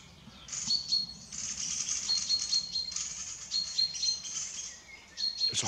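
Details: A small bird gives thin, very high squeaky calls in repeated bursts, scolding a tawny owl in a tree near its nest hole in woodland; faint background hiss.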